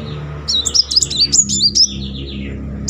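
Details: A sunbird in rolling song, meant to trigger singing in silent birds, gives a quick jumble of high, thin, slurred chirps that trails off into a falling whistle, over a low steady background hum.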